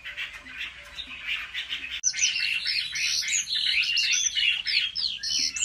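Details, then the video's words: Chinese hwamei in competitive song at home: a busy torrent of rapid whistled and trilled notes that grows louder and brighter after a short break. "Họa mi hót đấu cực hay"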